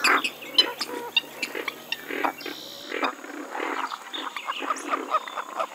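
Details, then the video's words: Western swamphen (Porphyrio porphyrio) giving harsh, nasal, grunting shrieks in quick irregular bursts, with a constant hiss in the background; finding: Purple swamphen. "Western swamphen (Porphyrio porphyrio) Birds Best Call Sound"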